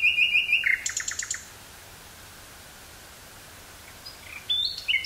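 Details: Woodland common nightingale near Burgh-Haamstede, Netherlands, 18 May 1983, recorded on portable cassette; quick repeated notes and a short trill, long pause, then soft whistles starting another phrase.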